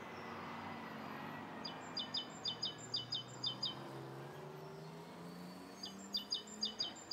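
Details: Rose-coloured starling in Bishopston, Bristol, recorded in the morning on 29 November 2014: two bursts of short, high, sharp double-noted chirps in rapid series, over steady low traffic hum.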